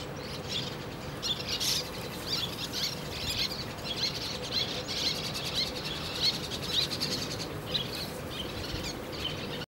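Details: Little tern courtship after a fish gift is accepted, the male giving excited calls, recorded in Japan on 10 June 2010; many sharp, high, chirping notes in rapid irregular bursts over continuous background noise.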